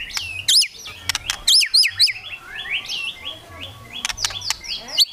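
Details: Kretekan of a white-rumped shama, used to make rivals sing: rapid twisting whistles, cracking clicks, and a dense run of descending warbled notes.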